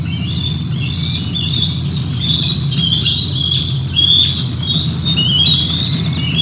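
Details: Bald eagle eaglets at Decorah North in July 2024, with a food drop and juveniles scuffling on the ground; thin high chirping and squeaking notes repeat irregularly over steady background hum.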